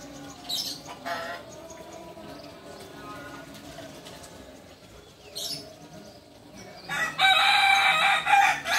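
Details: Kukuak Balenggek chicken from Solok, West Sumatra: after quiet moments with a few brief high bird chirps, a loud harsh crow begins near the end and carries on, rich in layered overtones, until cut off.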